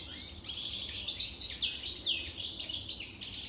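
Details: European goldfinch more than three years old in full song: dense, rapid twitter of bright, slurred and buzzy high notes, continuous and lively.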